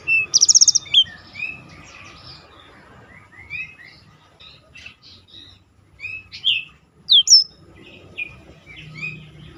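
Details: Black-throated canary recorded for contest-bird training; a loud opening burst of rapid high notes, then scattered softer whistles and chips with long quiet gaps and faint low background noise.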